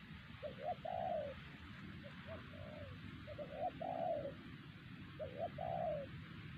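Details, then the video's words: Wild spotted dove at Siosar, a strong caller targeted with a trained decoy bird, gives phrases of two or three short soft coos ending in a longer descending coo, repeated about every two seconds over steady background hiss. "Suara BL ini sangat bagus"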